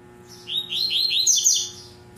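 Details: Caged Double-collared seedeater, a breeder's bird, singing a tui-tui style song: a rapid run of bright, slurred notes rising and falling in a high register, lasting about one second, over a faint steady indoor hum.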